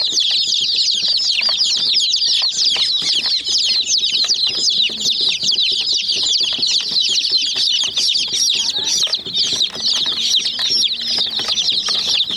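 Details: Group of chicken chicks attacking a small white toy jeep keep up a long, steady chorus of shrill peeping, rapid short chirps overlapping throughout, with faint pecking clicks and scuffling.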